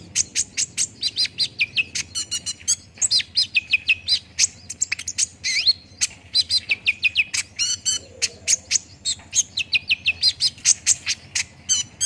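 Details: Olive-backed sunbird song played to prompt another bird to respond and sing quickly: rapid bright chattering, with sharp high ticks mixed with quick falling and rising whistled trills in dense continuous bursts.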